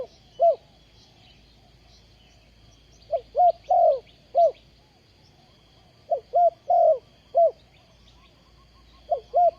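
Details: Spotted dove working as a ground decoy in a trapping session, 20 April 2020. Short stuttering notes and a longer rounded coo come in two bursts. Faint high chirps from other birds run in the background.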